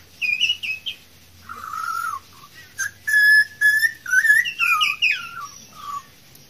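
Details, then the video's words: Wild Australian pied butcherbird, a singer able to mimic other birds' songs while resting, delivering clear fluted whistles: rising and falling phrases, some steady, others sliding and warbled, in quick bursts over six seconds. "Australian pied butcherbirds Excellent singer!"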